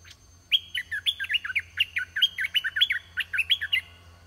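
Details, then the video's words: Caged red-whiskered bulbul used as a decoy to lure wild birds, singing loudly: a fast run of bright, bubbly whistled phrases that dip and rise, about a dozen notes over three seconds, over a faint low hum. "ต่อนกกรงดอกแตง (ไอ้ทอง) ตัวที่ 10 นกป่าลูกเสอมาไวมาก ตัวใหญ่ บัวใหญ่ เพลงดี"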